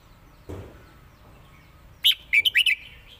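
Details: Caged red-whiskered bulbul in Thailand, 'lak wai' versus southern 'mae bot' song: after a soft low thud, the bird bursts into a rapid string of five loud, clear whistled notes, fading into quieter warbling.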